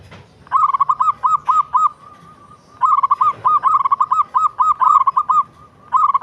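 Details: Zebra dove (local perkutut) cooing in long phrases of quick, evenly bent notes. A run of several coos is followed by a pause of about a second, then a longer, steady string of rounded notes and one more short burst at the end.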